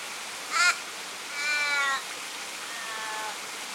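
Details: Australian raven at Kingfisher Pool, Heathcote National Park, on 18 July 2010: a short harsh note, then a drawn-out, slightly falling nasal wail, followed by a fainter trailing call, against steady hissing background noise.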